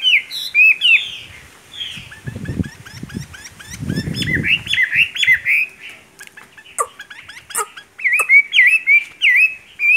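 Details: Wild-caught Chinese hwamei kept in a cage, delivering bright whistled phrases with sliding, looping notes, some quieter rapid warbling in the middle, then a burst of strong upward-sweeping whistles; low rustling thumps underneath.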